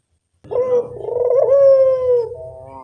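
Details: Single puter dove lure coo: a short introductory note followed by a long, throaty, slightly wavering tone that falls away softly, over a faint low rumble.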